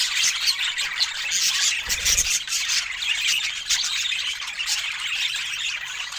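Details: Pet budgerigars eating fresh fruit, with a constant busy chorus of high squeaky warbles and chirps and one short low thump near the two-second mark.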